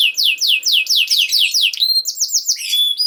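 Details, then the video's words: Canary song meant for training young canaries: a run of repeated descending slurred notes, about two each half second, followed by short whistled rolls and a clear level tone. "This Canary Sound Is Very Effective For Early Childhood Canaries To Sound || Voice of Canary"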